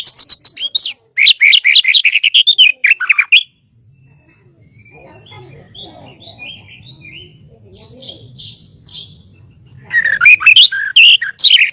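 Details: White-rumped shama master song: fast chattering, warbled phrases for a few seconds, a long quieter stretch with soft distant notes and low background rumble, then the loud rapid song returns.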